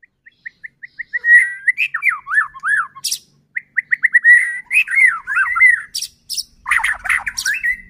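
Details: White-rumped shama song, a lure to make other shamas sing: short evenly spaced whistled pips build into loud looping warbles and slurred phrases, with harsh high noisy bursts near the end.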